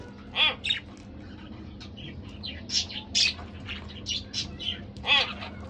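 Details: Pet budgerigar pair chattering: loud harmonic chirps open and close a stream of quick warbled and squeaky notes, over a steady faint hum.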